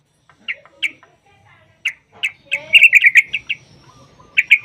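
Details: Yellow-vented bulbul used as a lure to get other bulbuls singing: spaced single chirps, then a quick cluster of bubbly notes and a final short burst.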